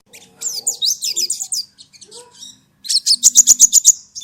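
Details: Sogon song played as a lure so a caged sogon adapts to and gets used to hearing other birds: high, sharp twittering notes in quick bursts, a brief pause, then a rapid series of ringing, evenly spaced chips.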